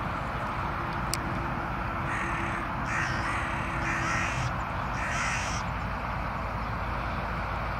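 A carrion crow gives about four harsh, rasping caws in quick succession, each under a second, over a steady low rumble of background noise.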